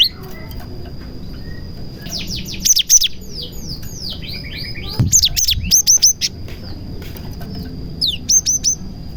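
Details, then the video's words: Cinereous tit singing a song filled with prenjak (prinia) phrases, used to lure other tits and get silent birds singing: rapid bursts of sharp, high downward-sweeping whistles in three clusters, over a thin steady high tone and low background rumble. "BURUNG GELATIK GACOR ISIAN PRENJAK • AMPUH MEMANCING BURUNG GELATIK LAIN AGAR CEPAT GACOR"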